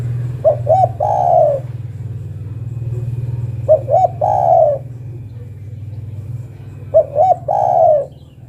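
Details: Spotted dove female calling the male with three evenly spaced phrases, each a pair of short hoots leading into a long falling coo, over a steady low engine-like hum.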